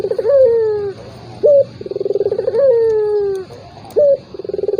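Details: Turtle dove call used as a lure against a rival that stays quiet. Sliding, gently falling coos alternate with brief bright notes and fast pulsing rolls, in a steady repeating cycle.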